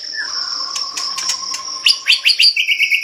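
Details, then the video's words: Medan-type white-rumped shama in full song: a low whistled note, sharp clicks, then fast high slurred notes and a brisk run of repeated chips, over a steady high-pitched whine. "burung murai medan gacor"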